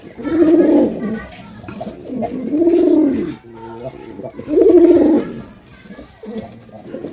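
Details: Low, rolling coos from a performing male pigeon, three loud swelling phrases about two seconds apart, each rising then dropping away, with quiet gaps between.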